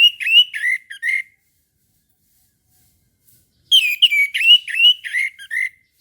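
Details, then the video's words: Orange-headed thrush in morning song, giving two bursts of varied, warbling whistled phrases that rise and fall quickly, separated by a two-second silence. "PANCINGAN ANIS MERAH TERBARU 2022"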